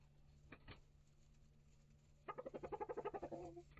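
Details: Mixed flock of mature hens and newly integrated chicks of several breeds in a coop and run: a fast, rhythmic series of about a dozen harmonic clucks, several per second, following two faint thumps, with a constant low hum behind.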